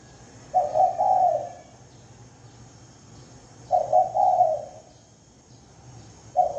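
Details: Lure call of a spotted dove, recorded without background noise: soft, low cooing phrases of about three rounded notes, repeated roughly every three seconds. The last phrase is cut off at the end.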